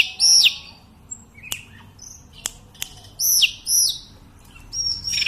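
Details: Sunda robin, locally tledekan, singing nonstop; pairs of high shrill whistles bending sharply downward, spaced by soft clicks and short gaps.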